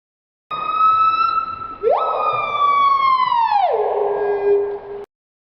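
Screaming Piha giving its loud, ringing whistle: a level note, a sharp upslide into a long sustained tone, then a steep drop to a low ending.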